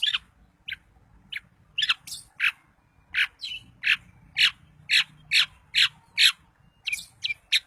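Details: Daput long-tailed shrike, recorded to provoke other shrikes: sharp, harsh squawking notes repeated irregularly, about two a second, over a low background hum.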